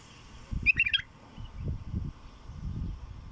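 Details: Short, rich phrase of a wild bulbul, a quick tumble of fluty, bubbling notes lasting under half a second, over steady low rumbling wind or handling noise.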